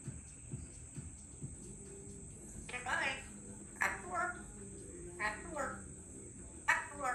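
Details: Pet female Congo African grey parrot, three years old, chatting at home: quiet at first, then several loud, speech-like phrases and squawky syllables spaced a second or so apart, over a faint steady ticking and high hum.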